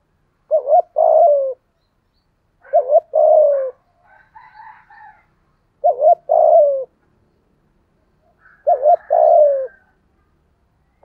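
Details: Spotted dove used as a lure, 'thổ' voice: four evenly spaced phrases, each a quick double coo then a longer, sagging coo, roughly every two to three seconds; soft higher chattering notes fill one gap.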